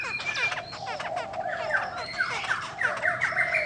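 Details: Female cow-skin Chinese hwamei whose calls excite males; harsh squawky notes and repeated descending slurs, broken by bursts of high sharp whistles toward the end.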